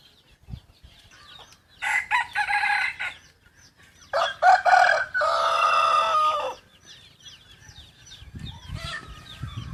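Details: Young yellow decoy rooster, a cross with wild junglefowl, gives two long harsh crows, the second longer with a sustained, strained ending, while faint chirping of small birds continues around it.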